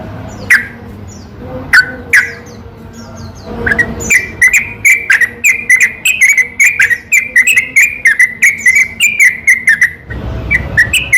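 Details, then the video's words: Night-time yellow-vented bulbul song used to stir up other bulbuls that are reluctant to sing: a few scattered high notes, then a long fast run of bubbly, chattering phrases that stops abruptly near the end. "burung trucukan seketika langsung nyaut dengar suara pancingan ini"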